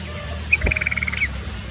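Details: Sooty-headed bulbul singing while bathing, used as a training song: a brief run of about eight quick clear notes near one pitch, ending in a short rising slur, over a steady high insect hum and low rumble.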